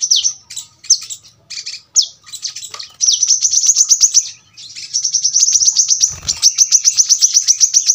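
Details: Brown-throated sunbird delivering a dense, sharp rapid-fire song: several separate high downslurred whistles at first, then long, very fast high-pitched trills of crisp repeated notes, with a short break between them.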